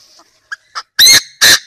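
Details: Chinese francolin decoy call used for trapping: a few faint soft notes, then two loud, harsh, rasping notes in quick succession about half a second apart.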